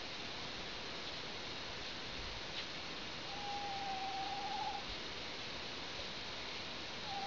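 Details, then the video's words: An owl gives a drawn-out, steady mid-pitched hoot that wavers at the end, with a second one starting just as it stops, over a loud steady hiss. "il gufo.. suono che emette"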